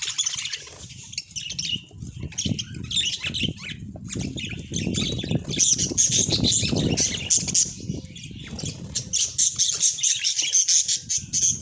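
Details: Domestic budgerigar calls: rapid, uneven chirps and grating squawks repeated many times a minute, growing louder and busier after the midpoint. Steady low background noise throughout.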